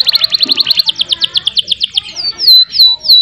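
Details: Canary in full song, used as a master recording to spur a stuck canary into long rolls: a fast series of high downswept notes, about six per second, then slower slurred whistles that swoop down and level off.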